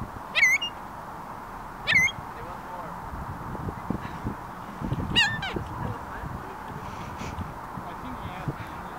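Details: Gulls calling: a few loud, sharp descending squeals spaced a second or more apart, with people talking and background rumble.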